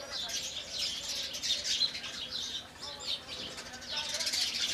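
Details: Indian house sparrows in the morning giving a thick, uninterrupted stream of bright chirps from many birds, swelling louder toward the end.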